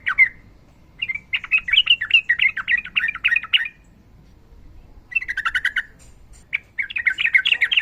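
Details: Sooty-headed bulbul singing a long phrase, with fighting song and a female calling a male: fast chattering bursts of bright warbled notes broken by short gaps, the runs dense and evenly paced.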